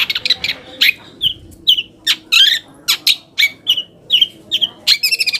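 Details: Long-tailed shrike song played to provoke other shrikes into replying: evenly spaced squeaky, slurred whistles and harsh chips, roughly two or three per second, ending in a buzzy trill.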